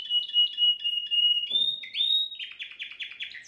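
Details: At home, a top Timbrado canary sings a model song for teaching young birds: a sustained trilled whistle, a brief pause, then quick, rising and falling rolled phrases repeated about four times a second.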